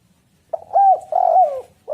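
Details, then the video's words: Spotted dove cooing, used as a lure to get other doves calling: a hoarse, hollow phrase with a short note, a long rolling coo and a downslurred ending, then another coo starting. No other sounds. "tekukur super gacor suara prangsang untuk burung"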